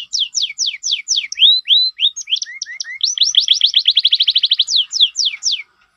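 A canary sings a fast, varied song of high swooping notes that speeds into a rapid rattling trill before ending on a few descending sweeps.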